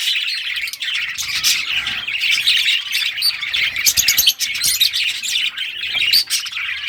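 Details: A flock of pet budgies in rare colour varieties chirping during play with their toys, 18 June 2023; continuous chattering warble with sharp clicks and chirps, one louder burst near the middle.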